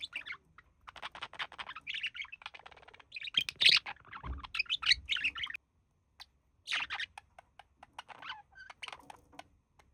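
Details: Two budgerigars relaxing together, the male mimicking human speech: dense, buzzy, rasping warble with fast ticking, a pause, then another scratchy burst and a brief clear whistle.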